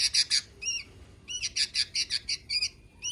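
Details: Sooty-headed bulbul giving rapid, scratchy chatter notes in two bursts separated by a brief gap, with a few curved, slurred notes mixed among the harsh clicks over a quiet background.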